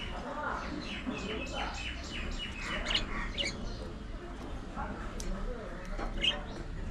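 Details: Pet budgies chattering while they play and groom, soft warbled chirps and short rising notes running on quietly over background noise.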